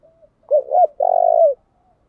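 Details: Decoy Spotted dove cooing to stimulate wild doves to answer; one phrase of two quick soft coos followed by a long, steady, vibrating coo that drops slightly at the end, clean background.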